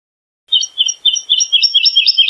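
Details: Short burst of wood lark song: a run of warbled, slurred notes at high pitch, each note doubled, delivered in a steady quick rhythm against silence.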